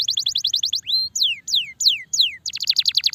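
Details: Starblue canary in full, long-running song kept as a tutor recording for training other songbirds: a fast train of sharp high chirps, then four loud slurred whistles sweeping downward, then another rapid chirping trill.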